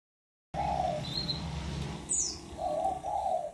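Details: Black-naped oriole song: a few clear, fluty whistled notes, low and slightly falling, with a brief faint high note between them and a thin high downslurred note near the end, over a low background rumble.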